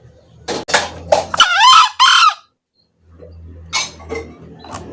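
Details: Male green junglefowl crowing for use as a trapping lure: a hoarse two-part crow amid sharp clicks and knocks, followed by quiet rustling and a low hum.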